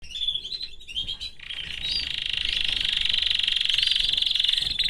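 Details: Caged male canary singing among his family: a second of scattered chirps, then a steady, very fast rolling trill held high and even until the end.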